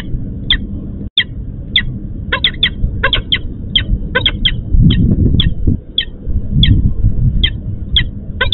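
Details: Female peregrine falcon at the EC4 plant in Łódź, Poland, calling for the male, who failed to appear for the nest change. Short harsh, sharply harmonic notes repeat about twice a second over a heavy low rumble of wind or machinery.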